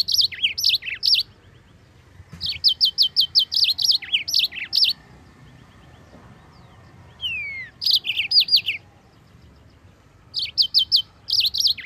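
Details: Yellow-fronted canary in long, energetic song meant as a tutor for other songbirds: fast runs of repeated high chirps in groups, broken by pauses, with one long descending whistle mid-recording.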